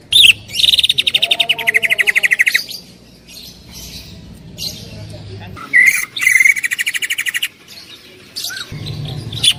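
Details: Greater green leafbird, a loud singer used as a training recording, gives rapid chattering trills repeated about twice a second with whistled notes and pauses between bursts.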